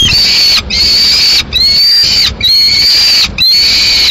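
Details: In Madrid, 22 May 2016, a single peregrine falcon chick demands food as the female eats a swift at a window; four drawn-out, high, nasal whines, each nearly a second long, with brief pauses between.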